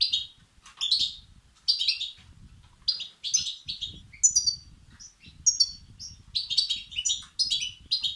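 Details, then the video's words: Begging goldfinch chicks, a recording meant to excite male European goldfinches; rapid high chirps and twittering bursts repeated steadily throughout, over a quiet low background hum. "بتبتة وستستات فراخ الحسون الأقوى لتحفيز وتهييج الذكور"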